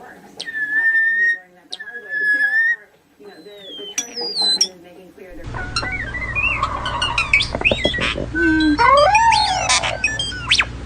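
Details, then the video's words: A common starling, a great mimic, runs through clear whistles, then a rapid jumble of rising and falling whistles, clicks and squeaks, with human speech and mimicked voices mixed in. "the common starling is one of the greatest imitators in the bird world."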